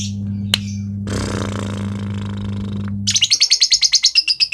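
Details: Caged lovebird from Kepanjen, Malang, East Java, in konslet style: a burst of harsh broadband noise gives way to a rapid, shrill chattering trill of quick repeated notes, with a constant low electrical hum underneath.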